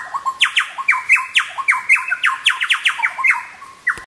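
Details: A display by Chowchillas on a log at Birthday Creek, Paluma, North Queensland: strong, ringing notes falling in pitch follow in quick succession, almost two a second, overlapping as the group calls busily.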